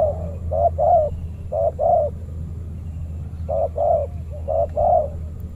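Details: Fierce territorial spotted dove of a banana plantation facing a trained decoy dove at a trapping site; paired coos, short then longer, in bursts separated by a pause of about a second, over a steady low hum.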